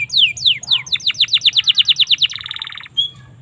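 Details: Domestic canary, recorded for training other canaries, delivers a few downward-sweeping whistles followed by a rapid, evenly spaced series of sharp notes, then a brief buzzy trill and a single soft note, over low hum.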